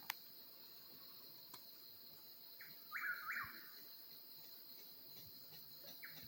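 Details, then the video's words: Oklahoma mountains at night: an eastern whip-poor-will gives a single brief run of its three-part whistled phrase amid a steady shrill insect hum and a few soft clicks. "Whippoorwill Serenade"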